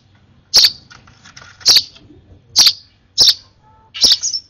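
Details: Excited sparrow nestling begging while being hand-fed: five sharp, high chirps spaced about a second apart, each with a short click, over a quiet low hum.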